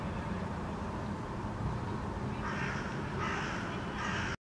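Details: Young hooded crow (Corvus corone cornix) exploring a park in Helsinki, Finland, in August 2013; three harsh, hoarse caws in the second half, spaced under a second apart, over steady low traffic rumble.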